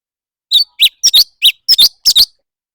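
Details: A leafbird sings competitively, giving a fast sequence of shrill, slurred chirps, single and double, about seven bursts spread over under two seconds, in an otherwise quiet setting.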